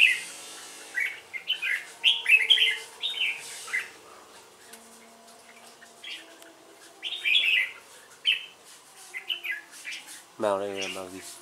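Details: Red-whiskered bulbul singing competitively against a female decoy bird, likely caged: bursts of bright, warbled whistled phrases in two clusters with quiet gaps, a low buzzy mechanical rasp near the end.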